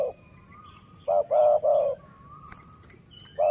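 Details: Dove heard during decoy luring, giving a phrase of low coos: three hollow notes in quick succession, another starting at the end, with a thin, steady whistle from another bird sounding between them.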